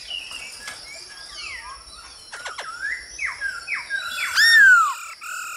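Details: Black-throated Laughingthrush male in varied song while a female calls to stimulate him, for training captive birds: assorted swooping and rising whistles, a few sharp clicks, and a loud drawn-out whistle near the end.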